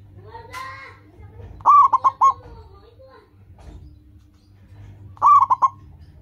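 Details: Local zebra dove singing loudly to draw caged doves into song: two phrases of fast stuttering coos about three and a half seconds apart; a brief different chirping call precedes the first phrase, over low background hum.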